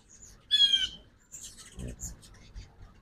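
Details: A ruby-throated hummingbird visits a backyard feeder during fall migration, morning, Oxford, Mississippi, 2024. A sharp, buzzy squeak with stacked harmonics is followed by scattered thin, very high chips and a soft low thump.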